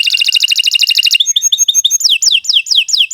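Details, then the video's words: Canary song: a fast pulsing trill, then chattering notes, then a series of descending whistled sweeps repeated about twice a second. "Kicau Burung Kenari II GACOR PANJANG"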